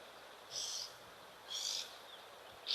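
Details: Oxpeckers at an African waterhole, 14 November 2024, give their alarm call of harsh, hissing rasps, each about a third of a second long and about one second apart, over a faint hiss. An antelope or big mammal is perhaps nearby.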